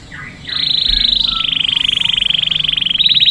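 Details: Canary singing a smooth, fast rolling trill, a nearly steady ripple of tightly packed notes lasting almost three seconds. It finishes with a louder, choppier burst.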